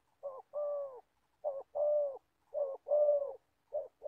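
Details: Trapping decoy spotted dove in Gia Lai, Vietnam, delivering regular deep coos, a clipped note then a longer rounded one, repeated roughly every 1.3 seconds.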